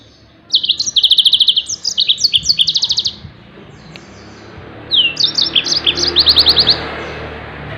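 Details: Yellow-fronted canary song meant for teaching other songbirds: two phrases of varied high chirps ending in fast rattling trills, separated by a quiet pause over low background hum.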